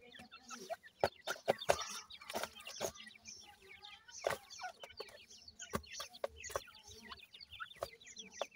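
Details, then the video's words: Ring-necked pheasant chicks being fed in captivity: a crowd of thin, high, downslurred peeps overlapping constantly, broken by sharp clicking knocks and a few lower clucking notes. "ringneck pheasant chicks feeding"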